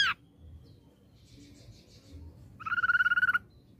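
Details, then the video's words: Ashy drongo lure song: mostly faint, soft high notes, then a clear fast buzzy trill of about a dozen rapid pulses, with loud whistle fragments at the start and end. "Pancingan Ampuh Srigunting Abu Bakalan Respon"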